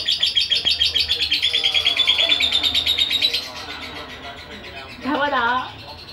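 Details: Aggressive young lovebird, 2.5 months old, giving a rapid, high chattering of sharp notes about three per second for three seconds. After a short pause comes a lower, wavering warble.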